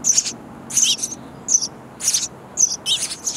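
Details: Hungry sparrow nestlings beg from a bird house nest as parents deliver insects: loud, raspy high-pitched bursts repeated roughly every half second, some doubled, against a quiet background.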